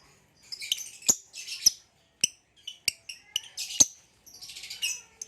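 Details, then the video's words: A captive green hybrid male lovebird with a Lilian's (Nyasa) lovebird: short bursts of high squeaky chatter alternating with sharp isolated clicks, roughly two per second. "Green Hybrid and Lilianae Nyasa Lovebird Singing & Chirping Sounds"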